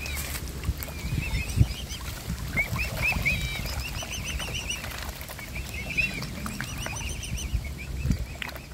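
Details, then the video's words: A mute swan family with hungry cygnets taking food from the hand: bursts of high wavering peeps, with thumps and splashing in the foreground. "Feeding all Cygnets by hand! And how hungry we were. Mute Swan Family."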